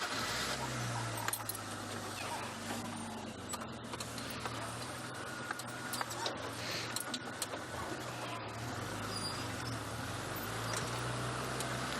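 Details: A steady car engine drones throughout, with faint rattles and jangling inside the vehicle and no animal calls.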